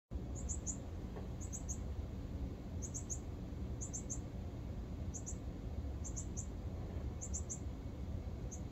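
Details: Northern cardinal fledgling begging while being fed by its father: high, thin chips in quick clusters of two or three, repeated roughly every second, over a steady low rumble of background noise.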